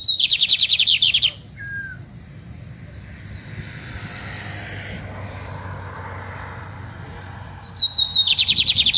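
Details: Lined seedeater song: fast, dry buzzy trills of rapid high notes in bursts at the start and end, with a brief slurred whistle between, over steady background hiss.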